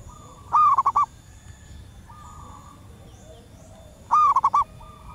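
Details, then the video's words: Wild female zebra dove calling males, a sound used to lure birds: two loud stuttering coo phrases about three and a half seconds apart, each a rising note then rapid short notes, with softer answering doves between. "Suara perkutut alam liar pikat burung sekampung nyaut penuh emosi"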